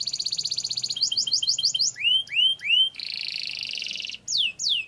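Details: Lively canary song with a long rolling trill, played as a training lure for canaries to become champions: a fast high trill, then rapid upward-flicked notes, three swooping slurs, a long steady buzzing roll, and descending whistles.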